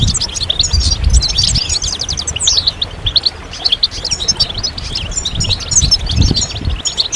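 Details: European goldfinches singing collectively, a song for stimulating males and signalling mating readiness: busy twittering with a few descending slurred notes, rapid chirp runs throughout, and low thumping noise in the background.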